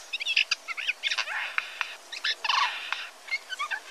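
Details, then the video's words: Adult Eurasian jay giving a quick, rambling medley of clicks, chirps, short whistles and scratchy notes, mid to high in pitch, with brief pauses between bursts: jay song. "chant du geai des chênes"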